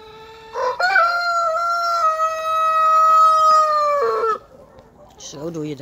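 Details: Rooster crow during a crowing lesson, where a young Ayam Cemani cockerel learns from a big Brahma rooster: one long, loud, steady harmonic crow held for about three seconds, with a Dutch-speaking person talking just before and after.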